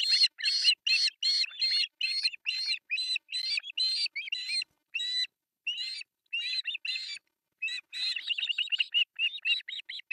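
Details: Begging by three osprey chicks at a breakfast feeding, artificial nest, Pohjois Satakunta, Finland, July 1, 2024, nest camera. Fairly soft, high, harsh chirps in an uneven run with a few short pauses, ending in quick, chattering notes.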